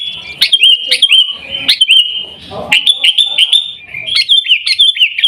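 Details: Sooty-headed bulbul from Pidie in Aceh, Indonesia, delivering its Garuda-style song: a near-continuous run of ringing, slurred whistles, each note bending up then down, in tight bubbly clusters with only short pauses.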